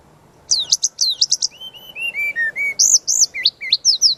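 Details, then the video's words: Brown-chested jungle flycatcher singing a lively, varied master song used to train other birds: quick high chirps, then a series of clear descending whistles, ending in bright looping high phrases. "Suara Pancingan dan Masteran burung Srdc gacor full isian"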